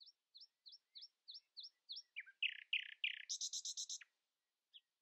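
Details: Common nightingale in morning song, refusing to be outsung: seven crisp upslurred notes repeated evenly, three loud rasping notes, then a fast, very high rattling series and one last soft note.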